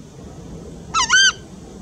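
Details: Southern screamer (Chajá) calling once: a clear two-syllable honk, the first part shorter and rising, the second longer and louder with ringing harmonics, against low steady background noise.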